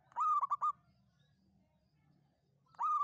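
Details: Local zebra dove giving a long 'kuk 7' Mataram-style song used as a lure for trapping: a drawn-out harmonic coo followed by quick staccato notes, then the phrase begins again near the end, in a quiet background.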